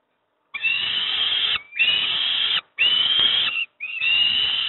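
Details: Peregrine falcon youngsters begging while fed breakfast at Moszna-Pruszków: four drawn-out, grating, whining screams, each about one second long, separated by short silences.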